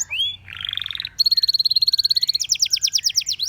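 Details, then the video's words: A canary sings a brief rising whistle, then a buzzy rattle, a fast even high trill, and finally quicker sweeping strokes repeated in a rolling series. "The Most Beautiful Canary Chirping Sounds"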